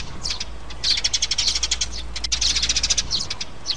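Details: Sparrows, mother and chicks, played as a trap lure; bursts of insistent, high, rapid twitters and single sharp chirps, with a low steady hum underneath.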